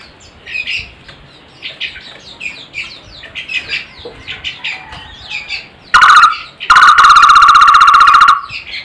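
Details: Barbet with a strange but melodious voice: after several seconds of faint mixed chirping from other birds, a short burst and then a long, steady, fast-pulsed rattling trill on a single mid pitch.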